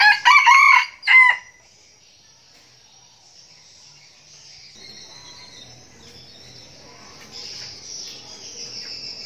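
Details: A young decoy red junglefowl gives a loud, ragged crow of two bursts at the very start. Then a long quiet stretch follows with faint insect hum.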